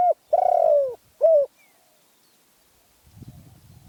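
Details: Spotted dove of Phrae, Thailand, ending a phrase: a long vibrating coo falling in pitch, then a brief closing note. After that comes quiet, then faint low rustling.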